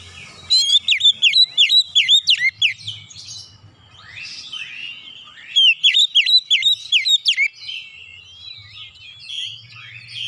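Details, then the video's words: Oriental magpie-robin delivering 'nembak' shots while showing off its 'isian' repertoire. Two runs of rapid, loud whistled notes, each sharply bent downward, come about three per second, with softer chattering phrases between them. "kicauan kacer nembak nembak bongkar isian"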